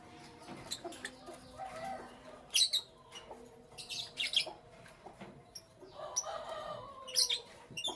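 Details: Lovebirds chirping in the morning: short, sharp high chirps in scattered bursts, some doubled, over a quiet indoor background with faint low hum.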